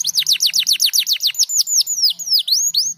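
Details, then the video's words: Canary singing a rapid series of high, downslurred whistled notes, about five per second, shifting to longer swooping and rising whistles toward the end. "Sebenarnya Burung kenari Anda pasti Penasaran Dan Cepat Bunyi"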